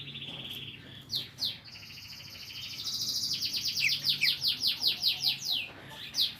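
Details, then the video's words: Greater green leafbird, known locally as cucak ijo, in lively gacor gropyokan singing: a sustained high whistled phrase, sharp chirps, then a rapid run of descending slurred notes repeated about three per second, over faint low background hum. "BURUNG CUCAK IJO GROPYOKAN GACOR"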